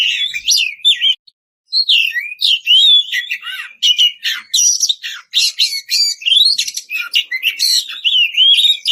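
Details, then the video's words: Kacer, the white-rumped shama, in loud open song calling a rival: fast strings of clear whistles, sweeping slurs and scratchy rasping notes, with one short silence near the start. "Kicau merdu suara kacer ngeplong memanggil lawan, kacer apasaja langsung nyaut bunyi gacor!"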